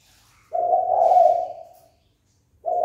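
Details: Spotted dove call used to provoke fighting: one sustained low, hollow coo lasting about 1.4 seconds, then a short silence before the next coo begins.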